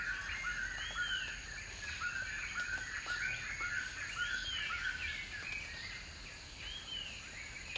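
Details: Scaly-breasted Partridge feeding and drinking in forest during the rainy season; soft, arching whistled notes, rising then falling, repeated irregularly about twice a second, over steady background hiss and a thin high insect-like drone.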